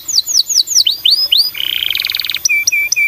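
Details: Canary song used as a lure to stimulate other canaries to sing: a series of rising, swooping whistled notes, then a fast buzzy roll and a rapid ringing trill, ending with short clear repeated chirps.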